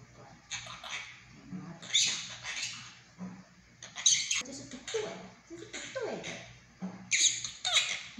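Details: Captive monk parakeet imitating human Mandarin speech; a run of scratchy, breathy syllables and sharp high squawky words in uneven clusters over eight seconds, with a low room hum throughout.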